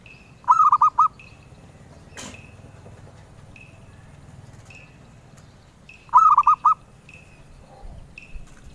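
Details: Zebra dove, a bird prized by collectors, singing two short bursts about five seconds apart. Each is a quick run of four rolling, purring coos. Faint high thin notes repeat in the background over a low steady hum.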